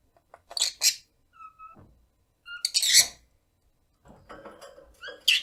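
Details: Pet rosy-faced lovebird, 1 year 9 months, chattering: raspy screechy bursts mixed with soft level whistled notes and murmured lower chatter, ending in a loud shriek.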